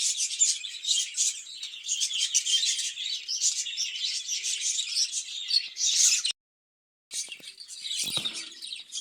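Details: Breeding budgerigars in a cage producing a steady wash of twittering and scratchy chirps, broken by a short silent gap, then resuming with a low thump.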